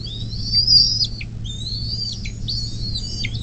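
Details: On a nest in southwest Ohio, near South Lebanon on the Little Miami River, USA, a bald eagle gives long high quavering whistles with short drooping tails. Recorded 24 May 2024 at 10:12 over a faint low hum.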